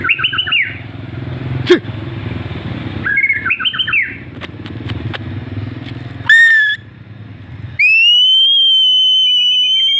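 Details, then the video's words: White-rumped shama, F3 bird, Lampung, Indonesia, singing actively: two short bursts of fast warbled whistles amid engine-like rumble, a sharp click, then a loud sustained pure whistled tone near the end. "BURUNG MURAI BATU SERI F3 GACOR"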